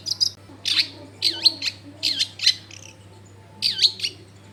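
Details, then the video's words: Long-tailed shrike song used as a lure for other shrikes, recorded amid dense housing: loud harsh notes that swoop steeply downward, given in separate bursts with brief pauses, over a low background hum. "SUAR BURUNG CENDET GACOR COCOK BUAT PANCINGAN CENDET BAHAN BIAR IKUT BUNYI"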